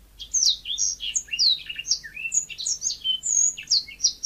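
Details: Yellow-fronted canary song: a fast, unbroken warble of high, sweet notes and short twittering trills that jump quickly up and down in pitch, with no pauses and nothing else clearly heard.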